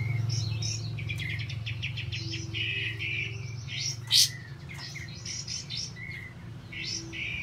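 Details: Olive-backed white-eye pouring out a busy, rolling whistled song meant to set other silent birds singing: fast trills, chirps and upslurred whistles, one sharp loud burst midway, steady low hum behind.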